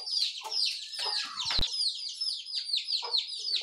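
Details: Small birds calling in the morning, an unbroken stream of sharp high chirps and sliding notes, overlapping voices, with one short sharp knock near the middle.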